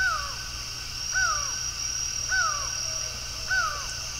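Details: Before dawn in Brasília, Brazil, on 27 October 2023, a laughing falcon gives four falling, slurred notes roughly a second apart. A continuous shrill insect hum runs underneath.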